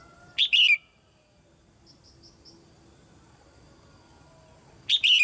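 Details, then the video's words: Female red-whiskered bulbul in a cage, singing to spur young birds into song. Two short, sweet, warbled phrases sit about four and a half seconds apart, with faint soft ticking between them. "นกหัวจุก-birds - Ep.57 - นกตัวเมียร้องเพลงในกรงเพื่อกระตุ้นให้นกที่โตใหม่ร้องเพลงมากขึ้น"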